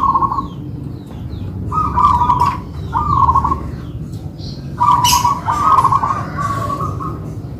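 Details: Two local-type zebra doves singing together in a duet, the manggung song: rolling, trilled cooing phrases at a middle pitch, each about half a second long and coming in irregular bursts, over a steady low background hum.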